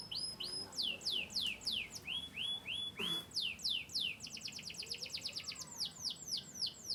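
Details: Yorkshire-descended canary, Turkish and US lines, chirping: high thin tones and falling sweeps, a run of smooth rising whistles, then quick repeated chirps and a steady rapid trill.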